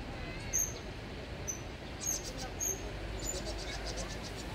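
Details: Vinous-throated parrotbills give thin, very high distress squeaks while under attack by a jay, brief and spaced roughly every half second to second, over a steady low rumble.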